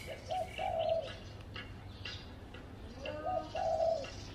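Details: Spotted dove calling from a tree at a house: two clear coo phrases, each a brief soft note then a longer trilled, slightly burred coo, about three seconds apart, with faint chirping of other birds behind.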